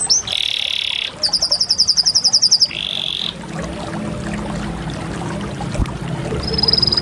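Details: Canary song with a low buzzy roll, a bright high rapid trill and another buzzy roll in the first three seconds, then mostly quiet background before a faint high trill.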